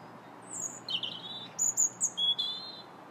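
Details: Robin singing in January, a quick sequence of high, thin warbled notes shifting between pitches, some short repeated chips, ending on a clear sustained whistle, with soft hum behind.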